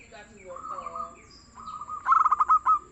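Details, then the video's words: Local zebra dove, noted for frequent, soft singing, delivers one rolling cooing phrase of fast pulses ending in two longer notes, after a low steady tone. "SUARA BURUNG PERKUTUT LOKAL YANG GACOR DAN EMPUK"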